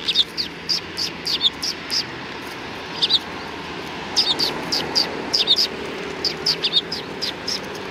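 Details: Sparrows at the front approach of a Tenmangu shrine in Japan, 6 December 2019: bright, short chirps in quick irregular bursts, several birds calling over one another against a steady low background hum.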